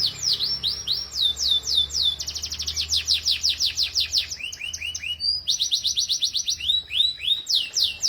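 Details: Young canaries in full song for training, a long varied run of rapid downslurred notes, fast trills, rising chips and dropping whistles, bright and high throughout.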